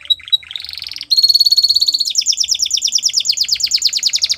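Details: Canary song for training young canaries: a few short notes and a buzzy phrase lead into a loud fast trill, shifting to quicker downward-sweeping repeated notes.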